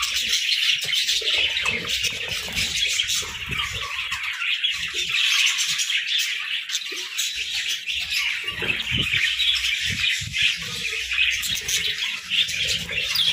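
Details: A group of parakeets chirping in the morning: dense, continuous warbling and chattering, high-pitched, with overlapping squeaky notes and brief squawks throughout, no pauses, and faint low rustling beneath.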